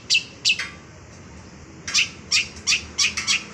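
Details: Long-tailed shrike (cendet), described as a raw bird singing loudly with a complete repertoire: harsh, scratchy high notes in short bursts, two at first, then after a pause a fast run of six, roughly three per second.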